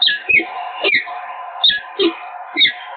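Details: Two peregrine falcons at their Evoluon nest site in Eindhoven, 7 March 2022, exchanging a handful of sharp, descending chup notes spaced under a second apart against a steady background drone.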